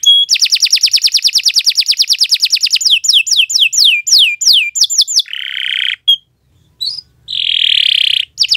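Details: Canary singing a long song used as a model for training: a very fast steady trill of high notes, a series of down-slurred whistles, then drawn-out buzzy rattles separated by short pauses.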